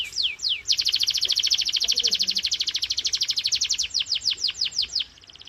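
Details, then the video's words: Canary in full song, used as a singing stimulus for silent or young birds: two quick downward-sweeping whistles open a long dense trill of rapid pulses, which slows into separate falling notes before fading out. "Canary singing FULL POWER 🙌| Canary singing sound"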